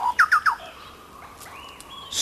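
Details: A chucao tapaculo in Chile's isolated forests gives its haunting territorial call, a quick run of loud, hoarse, downslurred notes.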